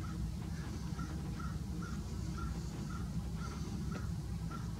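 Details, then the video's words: Crows mobbing a taiga-subspecies Great Horned Owl in Grand Forks, North Dakota, on April 20, 2018: a steady run of short, harsh caws about every half second over a heavy low-pitched rumble. "Great Horned Harrassed by crows"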